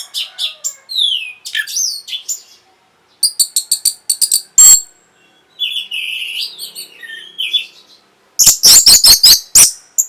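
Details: Orange-headed thrush song meant to spark breeding drive and answering: scattered whistled slurs and stuttering clusters of sharp high notes, separated by short pauses, ending in a rapid run of loud piercing notes.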